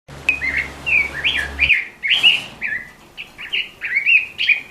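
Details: Red-billed leiothrix, a captive songbird recording used for training other birds, gives rapid warbled phrases of slurred whistles and chirps; a low hum sounds during the first part.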